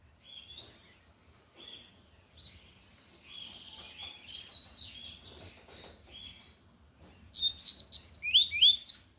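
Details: Tui Tui style song of a lined seedeater, loud: soft scattered chirps build into a bright burst of rapid, high whistled slurs near the end.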